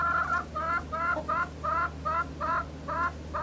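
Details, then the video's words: Chickens in the morning give a steady run of short harmonic clucks, about three per second, over a low background hum. "Rooster Crowing in the morning - Chicken Sound Effects - Non Stop Crowing"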